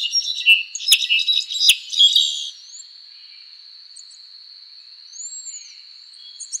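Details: Song of an azure-rumped tanager, also called Cabanis's tanager. About two seconds of loud, rapid, high chirps with sharp clicks give way to a steady insect drone and a lone arched whistle.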